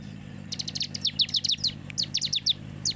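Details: Bar-winged prinia song for stimulating other birds to sing: after half a second of quiet, a burst of quick, sharp descending chirps, a short gap, then another cluster and a lone final note.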